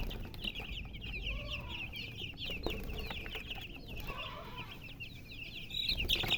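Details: Chicken chicks chirping: a dense, continuous stream of high, short peeps, many overlapping, with faint low background rumble and a few clicks.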